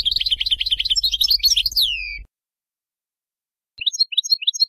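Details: European goldfinch in Bayinam Ghazirat style song for teaching young birds: quick jangling twitter over a faint low hum, two downward-sliding whistles, a pause, then a few clear chirps.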